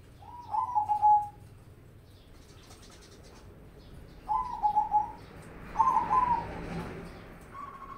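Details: Zebra dove, a mocha crossbred bird in lively song. Three trilled, stuttering cooing phrases are spaced a few seconds apart, and a brief rustling sound accompanies the last phrase.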